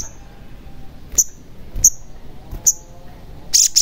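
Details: Sogon lure recording to get a caged sogon singing: sharp high chirps repeated at irregular intervals of about half a second to a second, ending in a quick burst of scratchy high notes.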